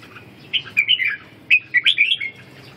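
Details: A red-whiskered bulbul, calling and wing-dancing, gives two bursts of bright chattering notes, each a quick run of four or five slurred chirps.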